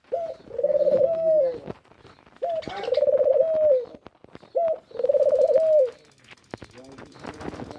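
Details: Dove calling: three low cooing phrases, each a short opening note followed by a long, slightly wavering sustained coo, repeated about every two seconds, with faint clicks and soft background noise between phrases.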